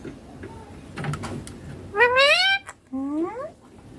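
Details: A baby ringneck parakeet mimics speech, "papa mummy" in Hindi: a single long, rising, rasping syllable, then a shorter upward-sliding one after a brief break, with soft indoor noise before it.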